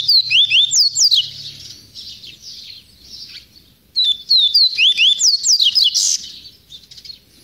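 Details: Double-collared seedeater song, a bird described as a born repeater of the viviti or quaquati style: fast series of high, sharp slurred whistles sweeping up and down, delivered in two bursts separated by a short pause.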